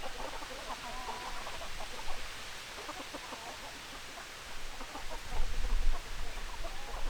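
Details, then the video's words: Hens clucking together, rapid overlapping clucks at about three per second under strong low-frequency rumble and noise, louder bursts near the end. "Chicken Sounds Noises Hens Clucking Roosters Crowing"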